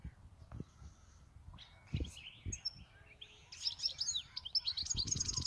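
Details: Pet European goldfinch, with its owner for eight years, sings a mix of scattered thin notes and soft clicks, building into rapid, high, liquid twittering in the final two seconds; a short spoken phrase precedes it.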